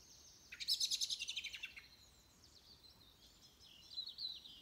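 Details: Peaceful dawn chorus recorded 22 November 2020 at 06:45: a loud, rapid, trilled burst of bright high chirps, followed by softer, thin twittering notes from more distant birds.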